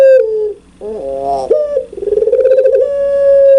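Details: Puter pelung spotted dove, loud and clear, ends a falling coo, gives a short buzzy note, then launches a fast pulsing coo that settles into a long, even, sustained tone.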